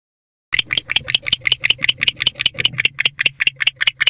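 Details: Wild male barn owl arriving in a nest box in late October at dusk, during the courtship season of a bonded pair: rapid, evenly spaced raspy chirps, about five per second, with a low steady hum underneath.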